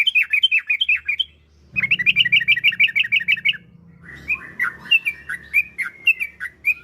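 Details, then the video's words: Yellow-vented bulbul, a kept bird, used as a lure to get other bulbuls singing. Lively, varied chattering bursts, then looser bubbly warbled phrases over a low background hum. "Trucukan Gacor Ampuh untuk Pancingan Trucuk Biar Cepat Bunyi"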